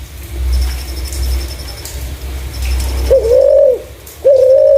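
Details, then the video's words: Spotted dove with a clear lure call: low rumbling noise at first, then two smooth, level coos near the end, with a faint, high, dashed tone in the background. "Burung Terkukur // Suara jernih cocok untuk pancingan"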